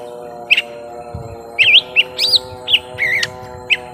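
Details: Young lesser green leafbird in a prolonged fight, round one: scattered, wavy whistled phrases and single sharp chips with gaps between them, over a steady droning background hum.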